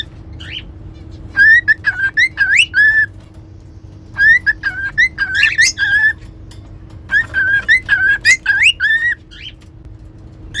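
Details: Whistling cockatiels: three bursts of a repeated whistled phrase, steady notes alternating with quick upward slides, each phrase lasting about two seconds with pauses between, over a low background hum.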